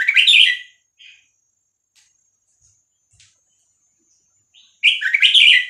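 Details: Vietnamese red-whiskered bulbul singing the 3-4-5-6-7 style, played for tutoring chicks and exciting birds: a loud jumbled warbling phrase, a short note, near silence with faint ticks, then another loud rich warbled phrase.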